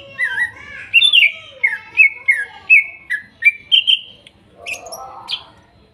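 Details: Wild greater green leafbird from Kuningan, trotol and nopeng stage, used as therapy for mute birds: a flowing sequence of about eight rolling whistled notes at a steady pace, closing with a softer warble and scattered chips.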